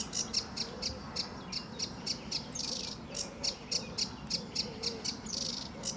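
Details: Lively sedge warbler in full song at RSPB Fowlmere, early morning in July 2013 with blue sky: a quick, uneven stream of sharp high chattering notes, roughly three to four per second, with occasional harsher buzzy bursts.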